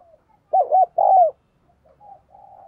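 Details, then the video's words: Caged lure spotted dove cooing to provoke males. One emphatic phrase of two rolling coos and a longer falling coo, followed by softer hollow coos. "Tiếng Chim Cu Gáy Kích Bổi Căng Lửa Hiệu Quả, Thúc Gù Rất Sung - Chim Cu Mồi"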